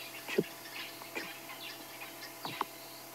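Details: Grey-headed sparrow giving short, sharp chip notes, four spaced over three seconds with a pair close together at the end, over a low steady hum; sunrise on a late-summer morning, 2 March 2016, Sabi Sand, Greater Kruger, South Africa.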